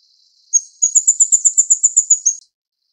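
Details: Plain Flowerpecker, subspecies uchidai, from Taiwan, while feeding chicks: one thin, very high note, then a brisk series of about eleven sharp ticking notes at an even pace over two seconds, against a silent background.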